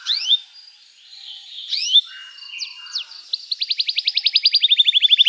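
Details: Canary singing as a lure for young canaries learning their song: scattered upslurred chirps and soft warbling, a pair of sharp downward notes, then a rapid, regular trill of short notes dropping slightly in pitch.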